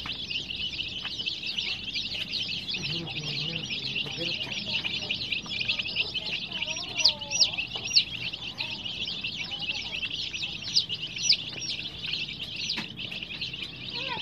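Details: Many colored baby chicks kept under heat, chirping continuously in a dense chorus of high, sharp peeps that overlap without pause, with a few lower faint sounds underneath.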